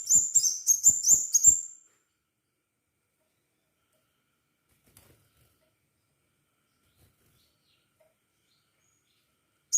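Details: Crimson sunbird in active song, played to encourage other birds to sing: five fast, high, thin chirps packed into under two seconds, then silence.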